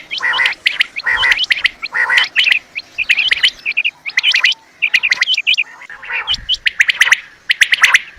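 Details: Quails give rapid clusters of high chirping notes in a hunting recording, the bursts separated by short gaps and overlapping in places, with scattered sharp clicks.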